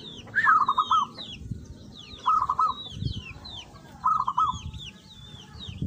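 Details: Local zebra dove singing lively: three rolling cooed phrases, each a quick stuttering run of soft notes, repeated about every two seconds, with thin high chirps of other small birds behind.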